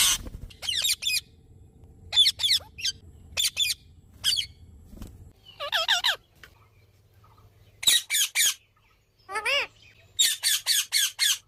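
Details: A parrot giving harsh, buzzy squawks in short bursts of three to four notes, repeated every second or so with brief pauses, plus one longer wavering call near the middle; a faint low hum sits beneath.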